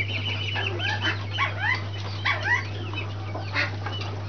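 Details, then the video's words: Brahma chicks giving clear, separate high peeps, each a short falling whistle, in small clusters about every second, with a constant low hum underneath. "Brahma chicks"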